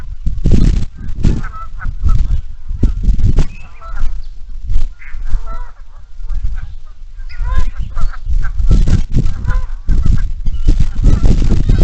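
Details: Morning at a marsh in Iroquois National Wildlife Refuge: a flock of geese honks continuously in overlapping nasal bursts, with many ducks calling among them over low rumbling background noise.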